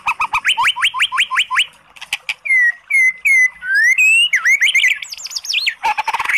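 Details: Oriental magpie-robin song played to rouse a sluggish bird into singing: rapid run of repeated rising whistled notes, then long clear slurred whistles and a harsh buzzy ending.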